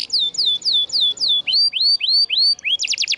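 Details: Canary singing as tutor material for birds that stopped singing: repeated downward-slurred whistles, then rising upslurred notes, ending in a quick high rattling burst.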